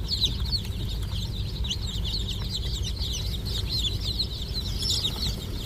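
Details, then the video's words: Chickens on a farm: many high, thin peeping chirps overlapping in a continuous chorus over a steady low rumbling hum. "roaster hen eggs(roaster chickes farming) roaster sound effects"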